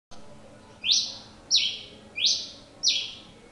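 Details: , singing persistently: loud, harsh buzzy notes, each opening with a downward sweep, repeated about every two-thirds of a second, five notes in all, with quiet background hiss.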